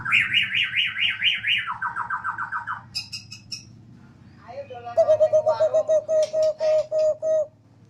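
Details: Home-kept Borneo white-rumped shama singing eagerly on a house terrace in its siren-like style: fast wavering trills that sweep up and down, then a lower rolling trill, then a long run of steady repeated notes at about four per second.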